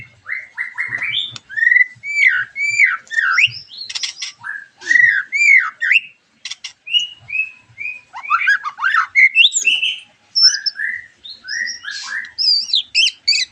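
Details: White-rumped shama song used as a lure to make other shamas sing: rich, varied whistled phrases, slurred and looping, mixed with sharp chattering notes and clicks, delivered in rapid bursts with brief pauses.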